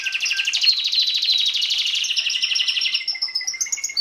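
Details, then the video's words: Belgian canary song recorded in 2016 for encouraging chicks: a rapid rattling trill slowly shifts into thinner, sustained whistled notes with a faint lower tone beneath. "Canario belga cantando (MELHOR CANTO) para encartar filhotes"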